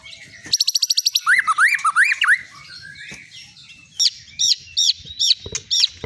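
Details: Caged long-tailed Medan white-rumped shama, winner of many contests, opens with a rapid buzzy click trill, then bouncing upswept whistles, then spaced high arched notes after a short pause.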